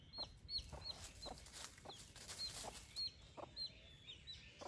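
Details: Repeated high, falling cheeps from several chicks kept with a broody hen, about two per second, with scratching in the earth and faint background noise.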